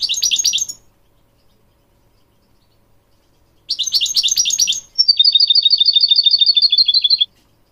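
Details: Goldfinch singing in a training recording for young goldfinch mules and canaries: two bursts of rapid, high, layered twittering separated by a pause, the second running into a steady, evenly repeated trill lasting about two seconds.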